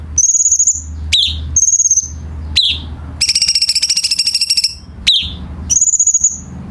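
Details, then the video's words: Tutor song of the cucak cungkok bulbul for captive birds: short high pulsed trills alternate with abrupt rising slurs, then a long rapid rattling series of about forty fast pulses, ending with another high trill. "KICAU BURUNG CUCAK CUNGKOK"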